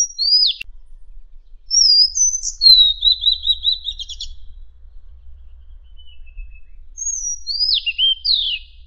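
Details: Madagascar magpie-robin song used for training contest songbirds: sharp descending whistles, a steady series of quick rattling notes, a brief lull, then more bright falling whistles.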